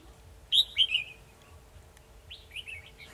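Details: Red-whiskered bulbul used as a decoy in a trap on 2 December 2020, singing to lure a rival: two quick bright warbled phrases, the first sharp and high, falling and slurring downward, then a softer answering phrase later, over low background hum.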